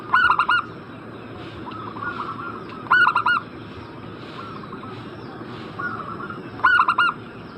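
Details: Zebra dove lure call meant to make a bird in breeding condition answer: three phrases of four quick, throaty coos, spaced roughly three seconds apart, with softer, prolonged cooing in the gaps.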